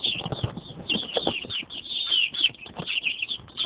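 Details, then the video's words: Chicks, described as little chickens, giving a continuous high peeping chorus of many overlapping cheeps with faint low rustling and knocking beneath. "little chickens"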